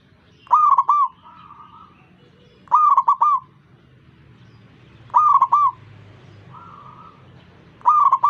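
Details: Zebra dove singing and prompting other zebra doves to join in: loud, rolling, trilled coo phrases of three to four notes, repeated about every two and a half seconds, with softer, distant dove phrases answering in between.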